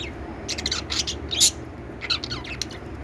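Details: Lovebirds chirping: short bursts of bright, scratchy chirps in quick clusters, some separated by brief pauses, with faint background hiss.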